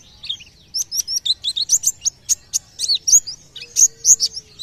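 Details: White-eye singing, a voice said to prompt other birds close by to sing: a continuous stream of very high, rapid chirps and slurred downward notes, about three per second, with a faint low background hum.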